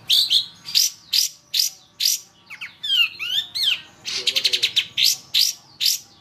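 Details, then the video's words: Masteran training audio of long-tailed shrike song: repeated rasping notes broken by slurred, rising and falling whistles and a rapid rattling burst, then more rasping notes at a steady pace. "Masteran Suara Pentet Cendet"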